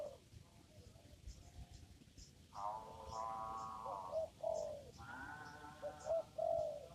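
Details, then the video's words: Spotted dove calling in a papaya garden during lure trapping: soft, mellow coos in short groups, some rising then falling, with long buzzy harmonic tones between them and faint chirps of other birds. "mikat burung tekukur di kebun pepaya"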